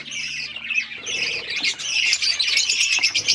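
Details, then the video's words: Finches kept as pets chattering as they eat egg food, a busy stream of high chirps and short squawks growing louder and denser toward the end, with some wing flutters. "My Finches eating favorite food happy to eat eggfood"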